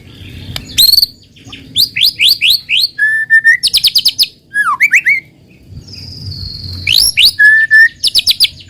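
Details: White-rumped shama song used as a lure to get untrained shamas singing quickly: loud, varied phrases of rising whistled sweeps, rapid chip series, and a steady high whistle, separated by short pauses over a faint low hum.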